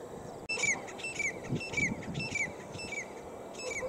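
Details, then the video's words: Grey francolin, known locally as teetar, calling; a series of loud, sharp, ringing notes with a rising then falling whistled sweep, repeated about every 0.6 seconds, over faint low rumbling background noise. "Beautiful Teetar Bird Sound"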